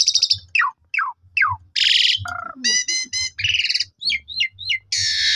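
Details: Asian pied starling lure song to get other starlings singing fully: falling whistled notes, harsh buzzy bursts, a rapid warbled passage and short sharp chirps, with low thudding in the background.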